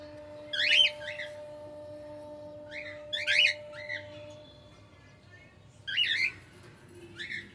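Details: Pet cockatiel singing: short bursts of chirpy, warbling whistled notes near 0.6, 3, 3.8, 6 and 7.3 seconds, separated by quiet gaps, over a steady low electrical hum.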